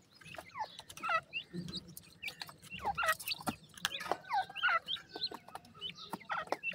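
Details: Weakening Black francolin chicks in captivity make a steady stream of shrill peeps, each a brief downward-sliding whistle, from several chicks at once amid soft clicks and a low rustle.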